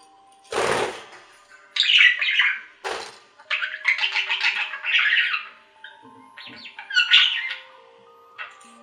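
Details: Pet budgerigars indoors with scratchy warbled chatter and short squawks in several bursts, interrupted by two sharp broadband clicks or knocks and a few thin steady tones.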